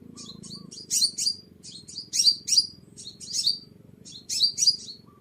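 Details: Sunbird song played as a bird lure: bursts of shrill, descending chirps, two to four together, every second or so, over a constant low background drone.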